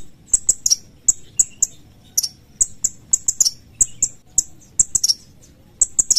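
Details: Piercing 'cret cret' call of the Sooty-headed bulbul: high, short chips tumbling in irregular pairs and bursts almost without pause.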